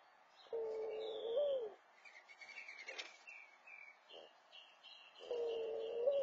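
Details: Mourning dove at its nest, cooing to attract a mate: two long, low, mellow coos, each with a slight upward lift near its end, separated by a few seconds of high chirping from other birds.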